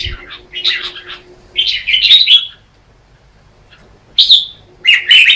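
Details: Red-whiskered bulbul morning contest song, used as lure song to stimulate other birds: a few short, loud warbled phrases separated by a quiet pause of over a second.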